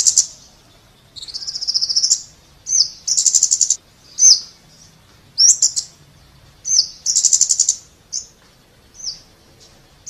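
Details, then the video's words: High, thin notes from a Scarlet-backed flowerpecker alternate with fast metallic trills, several bursts over ten seconds, some notes sharply downslurred. "เสียงนกชมพูสวน Scarlet-Backed Flowerpecker Sound"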